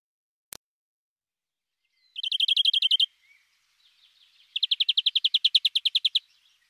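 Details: Greenfinch in song: a lone click, then a rapid trill of high even notes, a short gap with faint soft notes, and a longer fast trill of nearly twenty notes.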